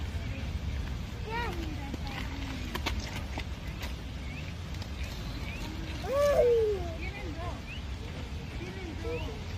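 Green peafowl giving loud, nasal, down-slurred calls. A few fainter ones come early, then one strong call near the middle, over a low rumbling background.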